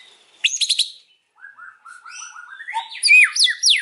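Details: White-rumped shama singing in the afternoon: a quick chattering burst, a soft run of low warbled notes, then loud sweeping whistles and high slurred phrases.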